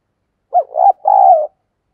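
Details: Luring decoy dove in "thúc gù" coaxing mode delivers one three-part phrase: a brief opening note, a rising wavering coo, and a sustained, gently falling final coo. Silence around it.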